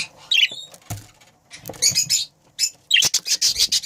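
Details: Breeding pair of budgerigars: bursts of bright, scratchy chirps and warbles high in pitch, interrupted by short clicks and wing or cage rustles, with brief silent gaps.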